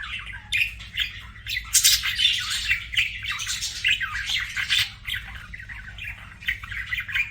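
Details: Budgerigar chirping: busy, scratchy chatter of rapid chirps and squawky notes, loudest bursts around the second second, continuing in uneven clusters with a faint low hum beneath.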